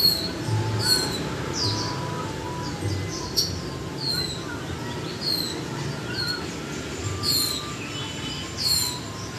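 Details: Caged Japanese white-eye, one month in captivity, giving a chattering twitter of high, thin, falling whistles in irregular bursts, over a noisy low background.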